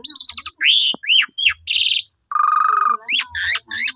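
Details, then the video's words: Black-collared starling song used as a lure for rival starlings: rapid high chips, rising and falling whistled slurs, a buzzy rattle, a long low nasal buzz, then more sharp whistled notes. "JITU Memancing Jalak Suren Lain Langsung Bongkar Isian Nyaut Suara Panjang"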